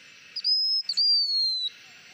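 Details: Blue-winged minla giving lure song: a high, clear, level whistle followed after a short break by a long, slightly falling whistle, with a faint hiss in the background.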